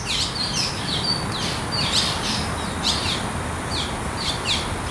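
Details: Nestling Barn Swallows waiting for food repeat short, bright, slurred chirps roughly once a second, some calls overlapping, against a soft hiss of background noise.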